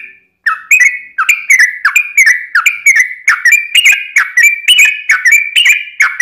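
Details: Chatty yellow-vented bulbul in combative 'ropel' song: a continuous string of liquid whistled notes, each a quick slur, about two per second with slight pitch shifts.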